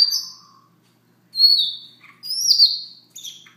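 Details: Siberian rubythroat heard at morning in soft song. Several high whistled phrases, one rising sharply before it falls away, are mixed with a few lower buzzy notes and broken by brief pauses.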